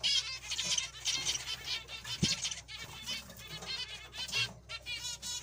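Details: A chorus of zebra finches: continuous buzzy, trumpet-like calls repeated in quick irregular bursts, with a few louder notes standing out and a soft low hum throughout.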